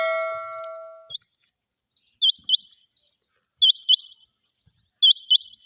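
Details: Rain quail calling with sharp, high, metallic paired notes, each pair quickly followed by a softer trailing note, repeated about every one and a half seconds. A loud ringing, bell-like tone sounds for the first second, then fades.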